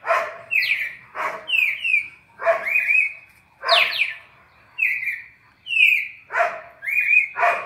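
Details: Red-crested cardinal classic 4-note song for training captive birds: a run of downslurred whistled notes in quick succession, interspersed with sharp broadband clicks and harsher rasping notes, fairly loud and close.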